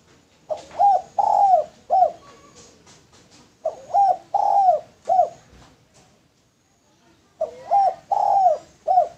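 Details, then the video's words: Male spotted dove calling as a lure: three bouts of low, hollow cooing, each a short coo, a longer drawn-out coo and a final clipped coo, with pauses between bouts. "Derkuku Tekukur Jantan Cocok Buat Pancingan"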